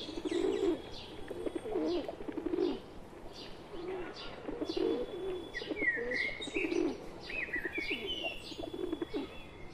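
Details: Wild pigeons with a pet pigeon among them coo in a steady, low, bubbling rhythm, repeated many times, while high twittering chirps from other birds sound in the background.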